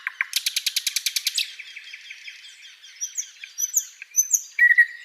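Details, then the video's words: Flycatcher song from a songbird tutor recording: a rapid series of about a dozen loud, evenly spaced sharp chirps, then softer twittering and high thin upslurred whistles, ending in a clear sustained whistled note. "SIKATAN LONDO || MASTERAN BURUNG"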